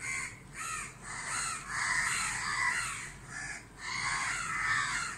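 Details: Harsh, raspy caws from a flock of crows harassing a barn owl near a house in Dhaka, Bangladesh, in bright daylight; calls repeat about every two seconds, several birds overlapping into a near-continuous clamour.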